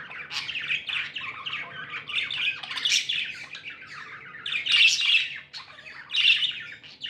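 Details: Pet budgerigars, described as happy, chirp continuously in dense overlapping bursts of scratchy warbles and squawky notes, with louder peaks near the fifth and sixth seconds and a faint low hum underneath.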